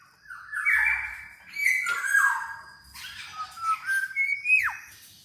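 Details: A black-naped oriole, called kepodang emas, whose sound serves as a lure to stir silent orioles into song: rich, whistled and buzzy notes sliding up and down, ending in a sharp down-slurred whistle.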